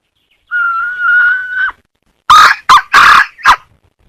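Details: Hen voicing a thin level whistle-like note lasting over a second, followed after a pause by four loud, abrupt, harsh bursts of sound.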